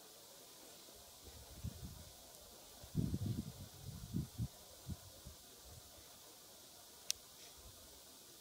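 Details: Quiet outdoor background with a series of low thumps and rustles in the middle and one sharp click near the end; no animal calls.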